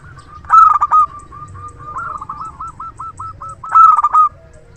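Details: Zebra dove of a local strain, loud-voiced and used as a lure decoy, gives two loud vibrant cooing phrases about three seconds apart, linked by a soft, evenly rolled string of coos.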